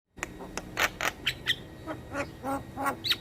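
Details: Javan myna chattering song, used as a lure for all kinds of starlings and mynas: a run of harsh, broadband rasping notes about every third of a second, with a thin whistle near the end.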